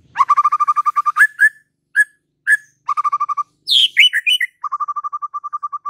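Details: White-rumped shama singing: fast runs of evenly repeated mid-pitched notes, short clipped phrases with pauses between, a sudden burst of high, sweeping, warbled whistles, then another rapid chain of repeated notes; no other sounds.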